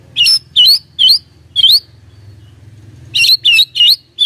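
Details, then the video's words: Lure song of white-rumped shama meant to trigger a reply: high, sharp twisting chirps in two bursts separated by a pause, over a low steady hum. "PANCINGAN SANTAI & EFEKTIF❗❗ murai DIAM langsung respon NYAUT❗❗"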